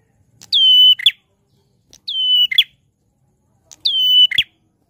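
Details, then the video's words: Prinia in loud, chatty song repeating one phrase three times, roughly every one and a half seconds: a sharp high start falling into a flat whistled tone, closed by a brief rough double note. "Suara Prenjak Klawu Gacor Lantang"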